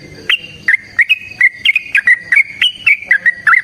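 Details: Lively sooty-headed bulbul delivering a long fighting song, bright fluid whistles in quick succession, slurring up and down, about four notes per second without a break.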